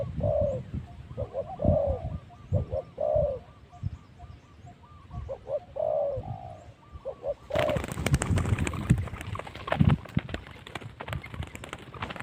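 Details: Spotted dove calling as a decoy for wild spotted doves at spot 136 in Phu Foi Lom, Thailand; soft low coos repeat for several seconds, then loud crackling and rustling noise drowns the recording.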